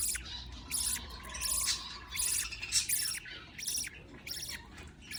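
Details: Budgerigar chicks fed by a parent budgie: harsh, raspy, high-pitched bursts of chirping in quick succession, about six clusters over five seconds, with short pauses between and a low steady hum underneath.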